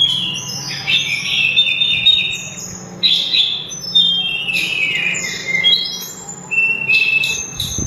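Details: Clear, melodious sulingan song with bursts of tumbling high whistles, each phrase falling in pitch, repeated in bouts about every two seconds, over a faint low hum.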